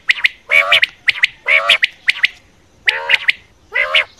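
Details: Quail call for hunting: quick high sharp notes alternating with longer harsh, nasal squawks, several bursts in a few seconds, loud and clear with a quiet background.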